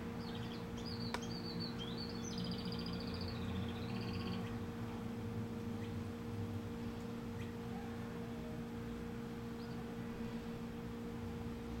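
A Curve-billed Thrasher gives a quick run of varied, warbling high notes for about four seconds, then goes quiet, over a steady hum and low rumble.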